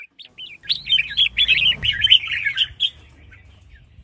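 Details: Female red-whiskered bulbul calling to spur males into song: a fast run of bright, warbled, slurred notes, closely strung together for about two seconds, with faint low rumble beneath.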